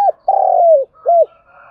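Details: Close, loud coos from a spotted dove used to lure and provoke wild doves: a long smooth coo dipping at its end, then a short rounded coo, with a faint hum behind.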